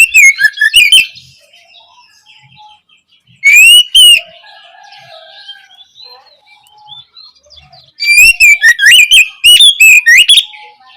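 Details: Oriental magpie-robin song used as tutoring material to coax juvenile kacer into singing. Three bursts of bright, fast whistled phrases with warbling slides, separated by quiet stretches of faint soft chatter.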